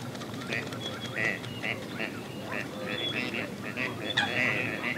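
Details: Purple (Western) swamphen in a wetland in Spain or Portugal gives a rapid series of harsh, nasal honking notes, several per second, with a faint murmur of voices behind.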